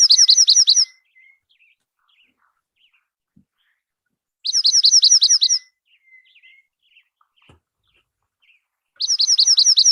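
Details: Dark-eyed junco (Junco hyemalis) sings a bright, rapid, high trill lasting about a second, repeated every four seconds or so, with soft chips between songs.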